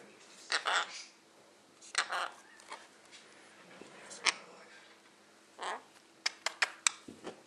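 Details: A pet male Quaker (monk) parakeet mutters short, raspy, word-like phrases in three bursts, ending in a quick run of sharp clicks, over a faint indoor hum.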